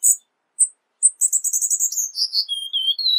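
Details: Cuban bullfinch giving a few separate high chips, then a rapid buzzy trill that falls into thin descending whistles and a short low whistled ending.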